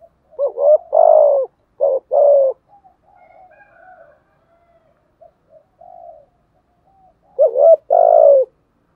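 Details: Spotted dove cooing thổ sấm style to stir a decoy: loud phrases of short coos and long rough purrs at the start and end, with soft murmuring coos and a faint higher tone in between.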